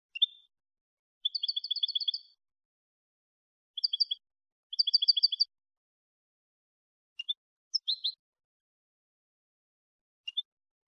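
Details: European goldfinch in clean Malagueño song style, recorded to train young goldfinches: two rapid rattling trills of about a second each, then scattered sharp chirps and a liquid twitter, with quiet gaps.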